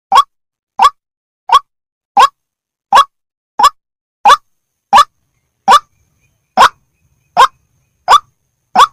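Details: Repeated call of an Indonesian white-breasted waterhen: thirteen short, hoarse croaking notes delivered at a regular pace of roughly one every 0.7 seconds, one slightly longer gap, otherwise silence.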